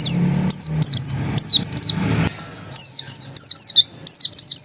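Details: Dakun-type oriental white-eye in ngotot song: sharp, high, descending whistled notes in quick groups of two to four, separated by short gaps, with a faint low hum behind.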